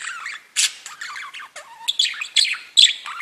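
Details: Budgerigars singing and chirping: a busy chattering warble mixing scratchy notes, a short falling whistle, and sharp chirps, irregularly paced.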